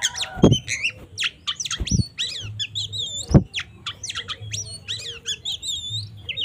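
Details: Oriental magpie-robin delivering a 'tarung ngobra' fighting song that serves as a lure to anger rival birds; quick varied whistles and slurred chirps, cut by several loud dull knocks, with a low background hum.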